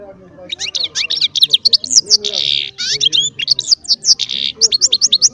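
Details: Goldfinch-style song from a small baster: quick liquid twitters broken by two longer, harsh buzzing notes, then more rapid chattering phrases.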